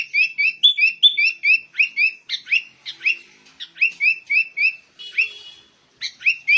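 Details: Sooty-headed bulbul singing in the ngegaruda style, an unbroken chattering string of short bright whistled notes with quick upward flicks, densely repeated, with a brief rasping burst near the end.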